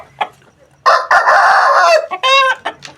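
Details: Aseel rooster crowing: a soft single cluck, then a loud, harsh, sustained crow lasting about a second, followed by two shorter, clearer, more tonal notes that fade out.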